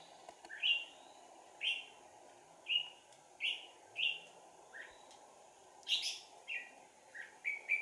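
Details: Decoy red-whiskered bulbul singing during trapping, 4 April 2019: bright whistled two-part notes repeated roughly once a second, each a short clear warble, over constant low hiss.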